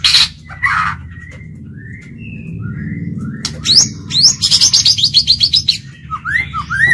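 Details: Caged decoy white-rumped shama singing to lure and challenge other birds: scattered thin whistles, then a burst of rapid repeated sharp notes and slurred rising whistles, with a low hum behind.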